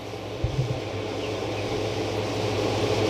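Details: Steady broadband rumble and hiss like a running motor or fan, with a couple of brief low thumps near the start and no animal voices.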